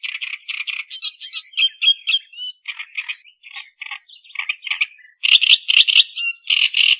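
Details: Loud, varied song of an Australian reed warbler meant for training other songbirds. Croaky, grating notes are repeated rapidly in short runs, mixed with thin high whistles and squeaks, and a bright emphatic run follows near the end.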